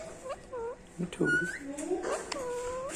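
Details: A three-year-old pet female ring-necked parakeet speaks the word "Mitho". Nasal, speech-like syllables with gliding tones rise and fall over three seconds, mixed with a few harsher broadband bursts, in a quiet indoor room.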